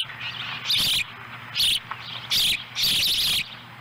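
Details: Osprey family at a nest in Lolo, Montana, July 18, 2017, while a young bird eats a small fish brought by its mother. Four harsh, high chirping bursts come with short gaps between them over a faint low hum.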